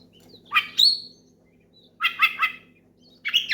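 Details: Oriental magpie-robin voicing short harsh chattering bursts and a high whistled note, separated by pauses, in a loud session meant to challenge a rival; faint low hum underneath.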